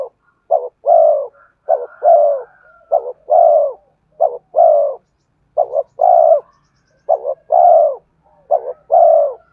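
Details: Spotted dove cooing as a lure for wild birds, steadily repeating a quick double note followed by a longer soft coo, about seven phrases in close sequence, with a faint higher whistle early on.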